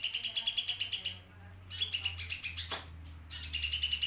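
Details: Actively singing sunbird, recorded as tutor material for white-rumped shamas and oriental magpie-robins: rapid trains of sharp, high chirps, a brief gap with one downward swoop, then chirping resumes over a faint low drone.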